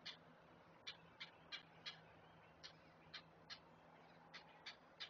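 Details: Great blue heron chicks at a nest-cam being fed by an adult: sharp, dry clicking notes repeated about three times a second, spaced unevenly, over a faint steady low hum.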